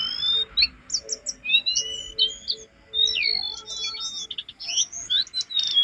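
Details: Master recording of a jongkangan singing, meant to train caged birds to sing: rapid high twittering of varied chirps, slurred whistles and short trills, delivered almost continuously in lively phrases.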